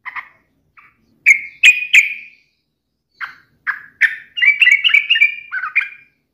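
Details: Yellow-vented bulbul in lively song, provoking an opponent: scattered sharp chirps building into a fast, bubbling, warbled phrase of rolling notes that rise and fall.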